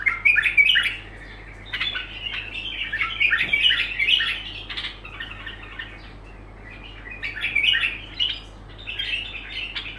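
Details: Bulbul pouring out unbroken song phrases: a long chattering, warbled stretch, a pause of a few seconds, then another bubbling run of mixed whistles and rasps, with low background hum.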